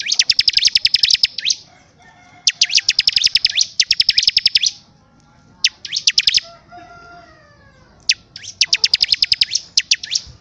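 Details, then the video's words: A bar-winged prinia in full, active song sings bursts of rapid, sharp, high chirps, each about a second long, repeated every few seconds, with faint tonal sounds in the background. "CIBLEK GACOR DORRRR!!!"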